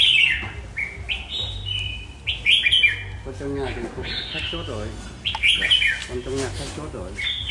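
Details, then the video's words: Caged red-whiskered bulbul of Hòa Bình origin, Vietnam, over two seasons old, March 2023. It sings repeated bright, slurred, warbling phrases while a man's voice talks across the middle, with steady background hum. "Chào Mào Mộc Hơn 2 Vụ Bộ Đẹp Gấu Chim Giọng Rất Hay Gốc Hoà Bình"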